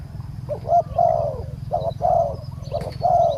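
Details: Spotted dove coo from a decoy-trapping session for a small-voiced wild bird: three quick phrases, each a short clipped note followed by a longer, slightly wavering coo, over a constant low-pitched drone.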